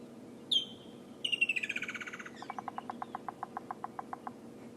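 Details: Woodland kingfisher calling fairly close in the morning bush: a single sharp high note, then a rapid trill sliding downward, followed by evenly spaced knocks of a woodpecker tapping nearby, about five per second.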